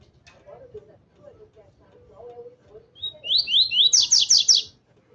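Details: Excited by a loose female, a double-collared seedeater gives a rapid phrase of downward-slurred notes building into loud buzzy high strokes, preceded by softer low chirping sounds.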